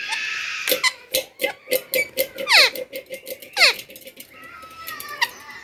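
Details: Pet parrot indoors giving harsh descending squawks around the second and third seconds amid a run of rapid, evenly spaced clicking notes, with a whistled sliding tone near the end in a small room.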